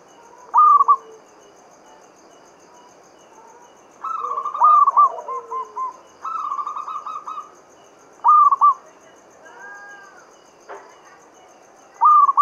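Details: Mataram-style lure song from a local Javanese zebra dove, used to get other doves singing: short loud stuttered coo phrases and longer rolling runs of notes spread over the recording, with a few softer calls between.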